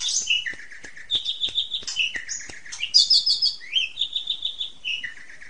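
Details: Asian pied starling master song for training young birds, heard as jumbled chattering with short repeated whistled notes, squeaks and descending slurs at moderate loudness.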